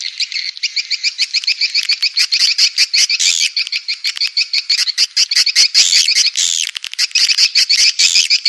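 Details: Swiftlet twittering prepared for swiftlet farmers in Indonesia: loud, fast trains of sharp chirps with looping squeaky notes, mixed with crisp ticking clicks throughout.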